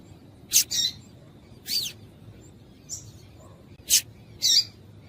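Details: Female double-collared seedeater calling, a call used to make males sing: sharp, high, buzzy chips, some single and some doubled, spaced about a second apart over a faint low background hum.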